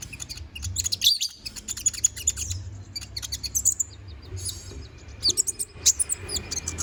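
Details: Training song of a Konin bird, sung gacor with full isian for magpie-robins to copy: a dense, rapid stream of very high chirps, trills and squeaky slurs with a brief pause near four seconds.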